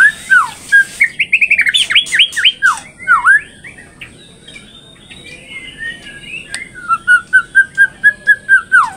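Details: Straw-headed bulbul, a captive-bred third-generation bird from Indonesia in full 'gacor' song with 'isian' fill-in phrases: swooping whistles and a fast ladder of notes, a quieter warbling middle, then a steady string of clear repeated whistles.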